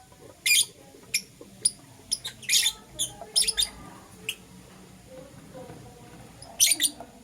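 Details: Morning calls of green opaline and lutino lovebirds, brief harsh high squawks and chirps scattered irregularly, with a quiet stretch before a final loud double squawk.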